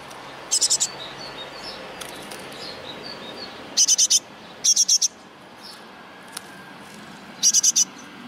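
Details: Baby great tits from a ten-chick brood: short clusters of four rapid rasping high bursts, repeated every few seconds, with faint thin chirps and a steady low hiss in between.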